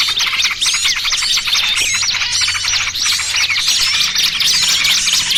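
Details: Trapping lure of small birds mixing trucukan ribut and burcil kejepit styles; many birds chirp at once in thick, high, scratchy bursts with quick looping whistles, steady and noisy from start to end.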